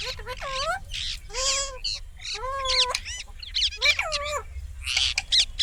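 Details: Indian ringneck parakeet producing a busy stream of loud, harmonic squawks and screechy notes, some bending down then up, with short gaps, the harsh chatter continuing throughout.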